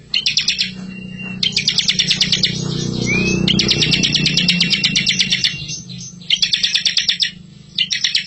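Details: Bar-winged prinia master recording for training young birds. A full, rolling song of dense, high, buzzy trilled bursts, one lasting nearly three seconds, with a short upslurred whistle between bursts. A steady low hum runs underneath.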